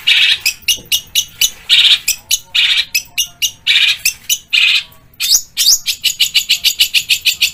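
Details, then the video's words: Long-tailed shrike varied song with Kuntilanak, Tengkek Buto and fighting-sparrow phrases: harsh, scratchy bursts roughly twice a second, then a fast series of sharp, rising squeaky notes. "Cendet Full Tembakan Kuntilanak | Tengkek Buto | Gereja Tarung"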